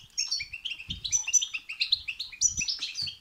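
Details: European goldfinch song in babtaba and sastasa style, played to prompt a goldfinch to sing. Quick tumbling chatter of tinkling, slightly buzzy notes rising to high squeaks, with faint thuds underneath.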